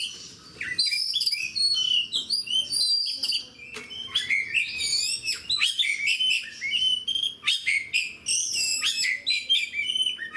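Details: Oriental magpie-robin, the fighter kind, singing continuously among other fighters: bright varied whistles, trills and rising or falling slurs in quick succession, short pauses between phrases, background otherwise quiet.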